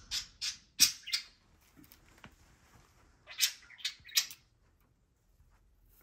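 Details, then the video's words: Two pet parakeets (budgies), one moulting and cranky, squabbling over a food bowl on top of their cage: harsh, scratchy squawks in two quick bursts of three or four notes split by a short gap, with faint rustling. "Parakeets squabbling over food"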